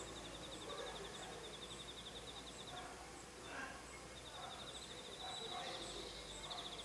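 A European greenfinch gives two fast, dry, high trills of about three seconds each, separated by a short pause, over steady outdoor background noise.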